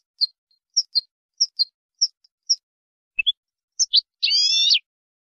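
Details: European goldfinch song used for teaching other goldfinches: clean, high, separate chirps, single and paired, then a rising note pair and a closing buzzy, rasping phrase, against total silence.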